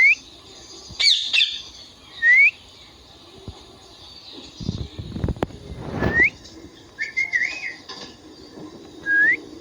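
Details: Indian ringneck parrot giving short, rising, whistled calls at irregular intervals, with a few harsher bursts and low background rumble.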